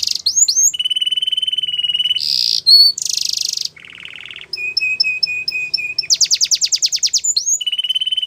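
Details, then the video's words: Yellow canary singing a training song of varied phrases: sustained rattling whistle, harsh buzzes, a low churr, repeated short double whistles, then a quick trill of sweeping notes. "Yellow Canary Singing | The Best Canary Training Song"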